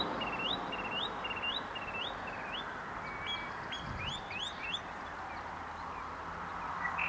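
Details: Spotted sandpiper giving a quick series of high, thin, upslurred whistled notes, about two or three per second, over a steady rushing background like water or wind; St-Ephrem de Beauce, Quebec, in May.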